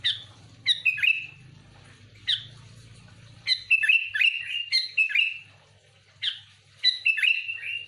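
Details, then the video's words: Sooty-headed bulbul singing vigorously, a genuine recording used to attract other bulbuls: repeated bright, gurgling phrases of falling whistled notes, closely spaced in the middle section, with a low background hum early on. "Suara burung kutilang gacor full Asli,,cocok untuk pikat Kutilang ribut"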